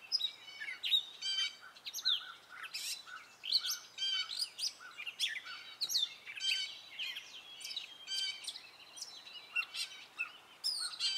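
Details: A male Gray Catbird sings his spring song, a long, rambling medley of squeaky, scratchy and whistled notes, often imitations of other birds, with some notes repeated and quick varied phrases tumbling without pause.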